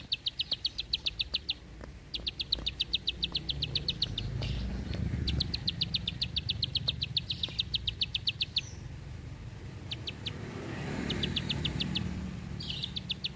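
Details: Bar-winged prinia in a long, tight clicking song: rapid trains of high, dry ticks, each burst lasting one to two seconds and repeated several times, over a faint low hum.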